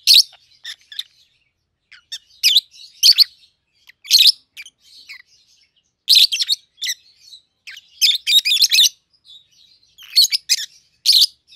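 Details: Young peach-faced lovebird pair, a red-headed green opaline and a red-faced dark green bred in captivity, about seven to eight months old; repeated harsh high chirps in pairs and clusters, a dense burst near the end.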